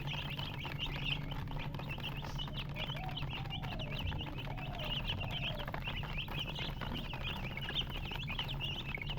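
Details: Baby chickens chirping together, many short high peeps overlapping in a steady flurry, with a faint lower hum and a few scattered softer sounds.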